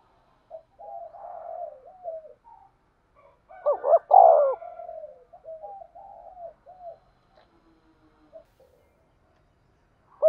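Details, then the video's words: Spotted dove calling as a decoy for trapping. Scattered soft coos, a loud double coo at about four seconds, then a string of short, quieter falling coos, with a last note cut off at the end. "tiếng cu gáy mồi chuẩn gáy gọi và THÚC dùng kích bổi hiệu quả nhất"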